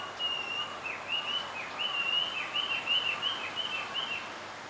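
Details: A male blue rock thrush calling to a female on a bamboo hill: an even, repeated chain of looping whistled notes, each dipping and rising, delivered steadily over soft background hiss.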